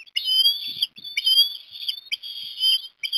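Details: Osprey at Port Lincoln, Australia, on 17 December 2021, as a chick is fed fish at breakfast; three loud, whistled, slightly rising piping calls, each about two-thirds of a second, with short gaps between.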